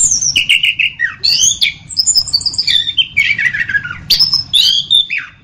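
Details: Song of the orange-headed thrush: long flowing whistled phrases that glide down and up, joined by rasping chatter and sharp high notes, continuous throughout.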